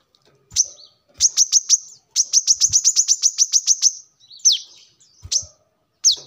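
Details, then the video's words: High, shrill brown-throated sunbird notes run in a fast, even string of about twelve, followed by a few separate downslurred whistles. The recording is intended as a lure or as a tutor song for birds. "kolibri kelapa | manggar | wiceh | tidak disangka burung receh segacor ini untuk pancingan |masteran"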